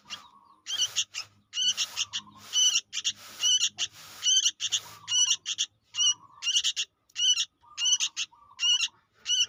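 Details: Sooty-headed bulbul chick, used for luring birds, giving insistent, scratchy, buzzy notes in uneven bursts, about seventy a minute, with faint rustling and a low murmur in the background.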